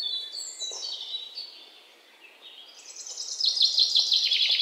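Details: Birds at a garden bird feeder while feeding. High, thin whistled notes slide downward, then a loud run of fast, tight chirps ends the passage.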